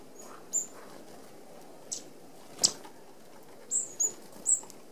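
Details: Red-browed finches, an Australian native, feeding as a flock at an open aviary feeder with small mesh; a few thin, very high, short whistled notes scattered over soft background hiss, with a faint wing flutter.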